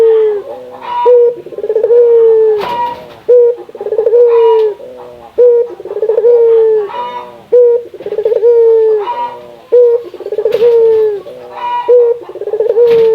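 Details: Spotted dove, a local Indonesian puter, calling to prompt other doves to sing: a rhythmic cycle of a short note, a rapid quavering trill and a drawn-out coo, repeated roughly every two seconds.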